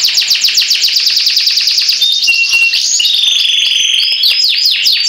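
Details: Canary song, loud and continuous: a fast series of repeated downslurred notes, then sustained buzzy and whistled tones shifting between pitches, ending in quick rolling trills.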